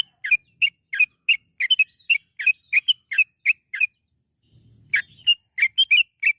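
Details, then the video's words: Yellow-vented bulbul in long, rapid gacor song used as a singing lure: evenly spaced bubbly whistled notes, a second-long pause with a faint low rumble, then more chirps. "PANCINGAN TRUCUKAN AGAR BUNYI burung TRUCUKAN GACOR ROPEL PANJANG"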